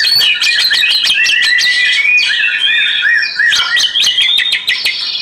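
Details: Oriental magpie-robin, song for meditation, fast clicking notes mixed with a repeated series of short downward-arched whistles and higher trills, while running water hisses underneath.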